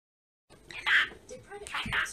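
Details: A female pet budgerigar talks, saying favourite words such as "I love you" in a thin, high, scratchy voice, mimicking short human words.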